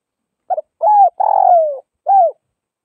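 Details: One cooing sequence from a spotted dove of the Northwest (Tây Bắc) kind: a short broken double note, then a smooth coo, a long rasping descending coo, and a final arched coo after a brief gap.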